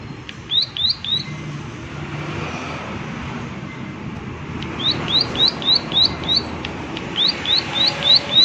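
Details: Prinia giving sharp, high, down-slurred 'klik' notes in short bursts, a brief run near the start and a faster series after a pause, over steady rural background hiss and a faint low rumble.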